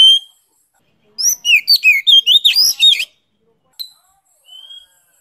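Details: Oriental magpie-robin song from Vietnam, a rapid burst of about ten varied whistled and chattering notes over two seconds, followed by a lone sharp note and a thin rising whistle.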